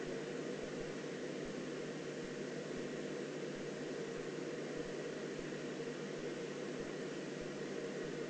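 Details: Steady broadband hiss with a low engine-like hum throughout, and no animal calls.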